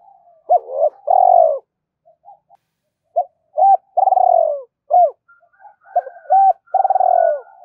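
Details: Spotted dove cooing and calling to lure a rival: repeated phrases of quick hooked notes and long mellow falling coos, with softer murmured notes between and a second fainter voice overlapping near the end.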